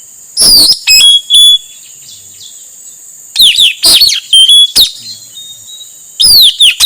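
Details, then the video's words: Male Blue-rumped Parrot calling, a recording used to lure wild birds: three bursts of shrill, sharply downslurred whistles, some ending in short level notes, separated by silent gaps, with a constant high hiss behind. "Suara burung puling atau nuritanau jantan, untuk pancingan nuritanau liar."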